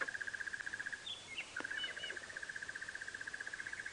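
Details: On an April sunrise drive near a water hole, a Crested Barbet off to the right gives a long, even trill of about ten mid-pitched pulses a second, like a muffled alarm clock; brief notes from another bird break in.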